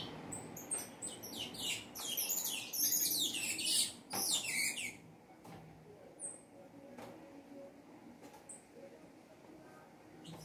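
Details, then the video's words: Saffron finch singing a lot: a rapid burst of dense, high twittering notes for about five seconds, then quiet with a few isolated high chirps. "canário da terra cantando muito"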